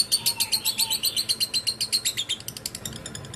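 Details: Lovebird giving ngekek chatter, a rapid run of harsh high shrill notes, about four per second, steady then softening and quickening at the end.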